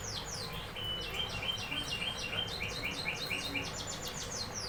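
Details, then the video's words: Moderately faint canary song made of quick, evenly repeated high chirps and downward-sweeping notes in a continuous chattering run over steady background noise. "canary singing"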